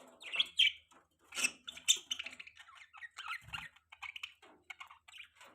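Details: Budgies chirping in a busy run of short, scratchy warbles and squeaky notes, fairly steady throughout with brief pauses and one low thud.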